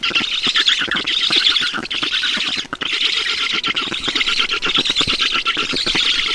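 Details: Feeding time at an Estonian black stork nest, 10 June 2019, 12:52: nonstop grating squeals and squawks, fast rattling pulses that barely pause, one short lull near the middle before the din resumes.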